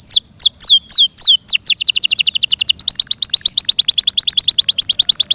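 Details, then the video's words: Yorkshire canary singing loud descending whistled sweeps, then a long, very fast series of short sweeping notes repeated like a rapid roll. "THE BEAUTIFUL SOUND OF FI YORKSHIRE CANARIES THAT MAKES OUR HEARTS SO HAPPY"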